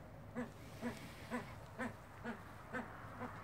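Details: Himalayan monal (Lophophorus impejanus) call: seven short, low, nasal clucking notes, evenly spaced about twice a second, over a steady low rumble.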